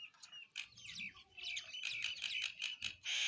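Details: Several sparrows eating food chirp in quick, overlapping bursts, bright and high, with a rapid run of notes near the end.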